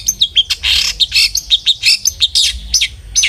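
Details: Long-tailed shrike song used as a lure to make other shrikes sing: a dense run of harsh, scratchy high notes and chattering phrases, about two per second, loud and continuous with little pause.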